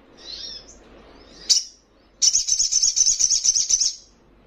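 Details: Soft high twittering, then a single sharp note and a rapid, pulsing high trill of nearly two seconds, from a young Little Spiderhunter (sogon trotolan) described as very vocal and provoking rivals.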